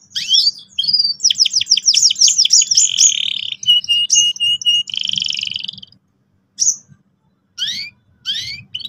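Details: Canary giving a lure song to get young birds rolling sharply: a rapid series of upswept notes, steady buzzy trills at two pitches, then a pause and a few isolated rising whistles.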